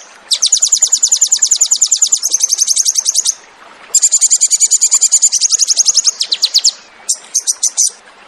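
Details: Crested jay (sogon) in 'tembakan' song used to train cage birds: two long shrill rattling trills of fast repeated notes separated by a pause, ending in short broken bursts.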